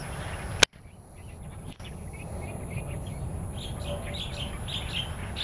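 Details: Wild starlings in Taiwan: a sharp click and a brief gap open the recording, then a growing chatter of chirps and whistles from several birds builds over a low background rumble.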